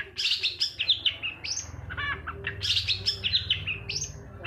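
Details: Long-tailed shrike lure song meant to provoke silent or lazy birds into singing: dense, harsh, high chattering phrases, strongly varied, with a brief stacked rattle in the middle and a low hum underneath.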